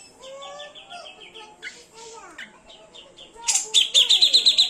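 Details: Cucak jenggot in konslet mode: varied descending and rising whistles with overlapping warbles, ending in a loud, fast burst of shrill repeated chattering notes.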